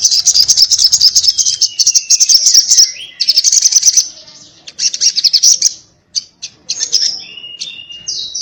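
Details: Little spiderhunter, known locally as sogon, in 'ngobra' fighting chatter: long runs of rapid, piercing high notes with a few falling whistled slurs, ending in shorter, separated bursts.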